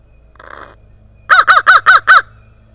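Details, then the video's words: Crow in Kalamazoo, Michigan, in spring, calling from around a yard where it spends most days, with a second crow barely answering; a soft hoarse call, then five loud, harsh caws in quick, even succession. "This Crow has a lot to say!"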